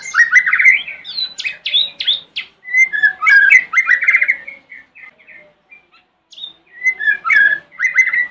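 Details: Lure song of a White-rumped shama recorded in the morning to get other shamas to answer: a long run of varied whistles, rapid warbles and sharp chattering notes broken by brief pauses.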